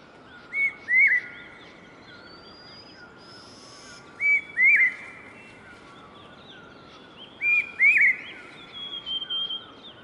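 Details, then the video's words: A noisy large hawk-cuckoo in Tsimasham and Tsimalakha, Bhutan, gives shrill, high two-part whistled phrases, the second note rising, repeated about every three and a half seconds over faint calls of other birds and steady background hiss. "Large Hawk Cuckoo"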